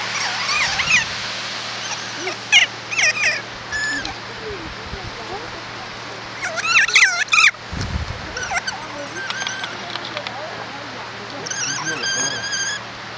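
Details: Alpine kea parrot heard in short quavering harmonic calls scattered through the recording, with sharp clicks, low thumping knocks and broadband rustles between them, ending in a wavering call series.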